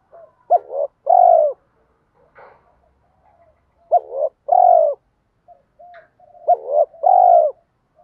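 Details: Spotted dove cooing in the 'kích bổi' style used to provoke other doves: three phrases, each a brief double note and then a long, hollow coo, spaced about three seconds apart, with soft low coos between.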